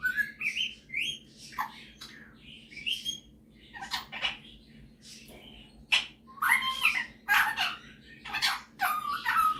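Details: Indoor pet male superb parrot, a talker and singer, showing off singing and mimicking; rising whistled slurs and chirps early, then a quieter stretch, then rapid harsh chattering and squeaky notes.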